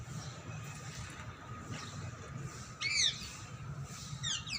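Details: Two brief clusters of harsh, grating screeches from wild ringneck parrots at a home, one near the middle and one near the end, with a constant hum and low rumbling noise between them.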